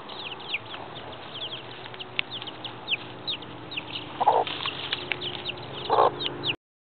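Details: Yard scene with a mother hen and her seven chicks: rapid thin chick peeps throughout, two brief lower clucks near the end, then the recording cuts off.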